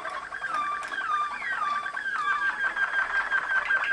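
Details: Waterslager (Malinois) canary, bred in Macedonia from champion lines, singing at Kumanovo, Macedonia: liquid warbled phrases with gliding whistled notes and bubbling rolls in a continuous, flowing stream, recorded indoors.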